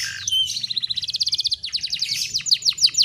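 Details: Young female canary in breeding condition used as a lure to attract males, track filled with Bar-winged Prinia material: a brief whistle, then a fast pulsing trill of high notes that grows louder and slower.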